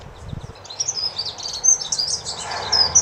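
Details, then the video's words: Dunnock, a small discreet garden and hedgerow bird, giving a soft, melodious song: high, thin jingling warble notes in quick clusters, with faint low rumble early on. "LE CHANT DE L'ACCENTEUR MOUCHET / DUNNOCK SINGING"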